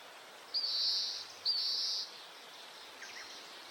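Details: An Oriental greenfinch in Hokkaido gives two long, high, nasal buzzes in quick succession, then a few faint twittering notes over a soft background hiss; the recording has breeding-season male song and calls.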